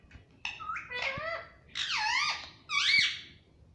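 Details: Pet Indian ringneck parakeet talking indoors, asking for roti: four squeaky, nasal, speech-like phrases with bending, rising-and-falling tones, the last two louder and longer, in a small quiet room.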